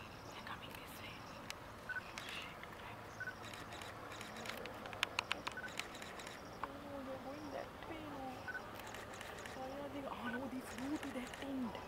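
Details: Migrant greater flamingos feeding in a Mannar Island lagoon, Sri Lanka, during the dry season, a huge flock of thousands. Scattered low goose-like honks and gabbling build toward the end, with clicks and steady ambient noise.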